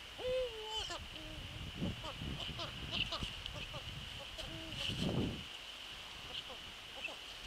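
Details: Eurasian eagle-owl visiting its nest in the evening of 27 December 2013, between 18:24 and 18:28, calling several times: a short steady tonal note with harmonics near the start, a fainter paired tone later, amid rustling, knocks and a constant high hum.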